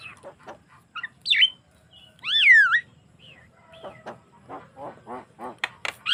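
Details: Javan myna in full, lively song, a natural recording used to lure other mynas into singing: scattered harsh chattering notes, a bright rising squeak, then a loud swooping double whistle, followed by a run of quick raspy rattling notes and sharp squeaks.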